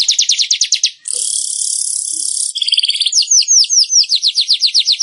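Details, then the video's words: Weaver singing in a recording used to train caged weavers: quick repeated down-slurred ticks, a long hissing buzzy sizzle, then a scratchy chatter that breaks into fast, evenly spaced chipping notes. "Masteran Burung Manyar super efektif bikin Burung Manyar gacor dan ngeplong"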